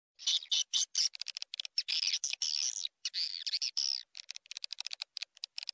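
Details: A swiftlet call-lure recording: swiftlets chatter in fast, high, dry chirps and ticking clicks, with bursts tumbling over one another and brief gaps, continuous and busy throughout.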